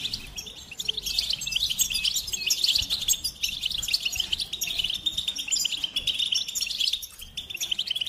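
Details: Goldfinch singing a fast, continuous twittering warble of high chirps and trills, slightly softer toward the end.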